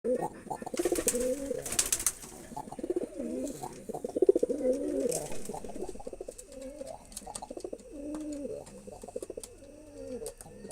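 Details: Male pigeon cooing to impress a female: a run of low, rolling, wavering coos, repeated with short breaks, with occasional clicks and faint background noise.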